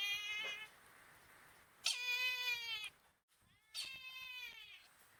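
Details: Brahminy kite recorded at Kasavanahalli lake in Bangalore, India, calling three times in quick succession. Each call is a nasal, quavering mew lasting about a second, dropping slightly in pitch, with short pauses between.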